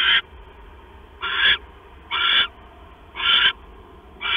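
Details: Nighttime owl sounds, 6 September 2015 at 10:52 PM, while a male delivers a mouse to his mate: five rasping, breathy screeches in quick succession, each about 0.3 seconds, spaced about one second apart, with faint steady hum between.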